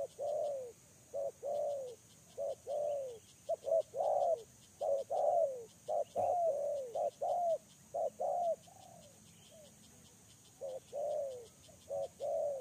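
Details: A spotted dove used for luring coos in a long series of paired notes, a brief note followed by a drawn-out falling one. The series briefly pauses, then resumes, with faint high ticking throughout.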